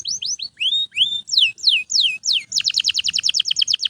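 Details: Loud nonstop canary song used to train other birds: clear down-slurred and up-swept whistles, one every quarter second, then a fast dense trill at the end.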